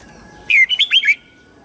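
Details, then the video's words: Red-whiskered bulbul morning song, used to train young white-cheeked birds: one loud, brief phrase of four or five slurred, warbling whistled notes lasting about half a second, over a faint steady background hum. "Luyện giọng chào mào hót sáng hay nhất để luyện má trắng"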